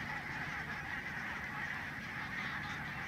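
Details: Huge flock of barnacle geese at Stoomgemaal Nijkerk in the Netherlands, from a non-migratory breeding population: a dense, unbroken chorus of overlapping honking yaps at steady loudness, with a low background rumble.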